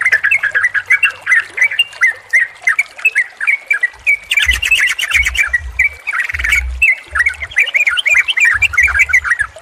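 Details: Combined yellow-vented bulbul (trucukan) song used as therapy and a lure for a silent, stressed bird: steady stream of short bubbly warbled phrases, with brief low thumping sounds through the middle section.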